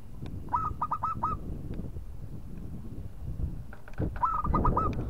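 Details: Local zebra dove singing to goad a rival: two short trills of hooked cooing notes, four to five each, several seconds apart, partly masked by loud low rumbling noise and clicks.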